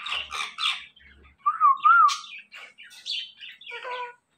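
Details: Ringneck parakeet talking: a few harsh chattering syllables, then two smooth whistled wavering notes, followed by scattered squeaky bursts and a raspy note, with 'mitthu' repeated close by.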